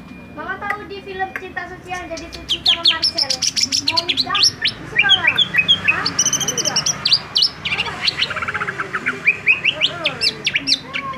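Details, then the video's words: Greater green leafbird song meant to make other leafbirds agitated, a rapid, dense stream of varied whistles, trills and sweeping chirps, mostly high-pitched, with sharp bursts and rising and falling slurs, and low harmonic notes beneath. "dijamin cucak ijo langsung ngamuk"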